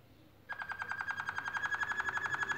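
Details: Canaries singing as they build a nest, delivering a rapid, even trill of bright pulsed notes, roughly ten per second, that starts suddenly after a brief quiet moment.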